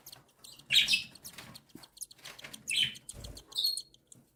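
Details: Begging cockatiel chicks fed by their mother, newly hatched and week-old nestlings, give a loud hoarse rasp, then softer scratchy calls and a thin whistled note near the end, with brief low rustling.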